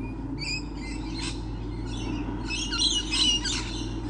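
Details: Many lorikeets on 28 November 2013. Rapid, scratchy, high-pitched chirps and screeches come in quick bursts, building to a denser chattering flurry, with a constant low droning hum underneath.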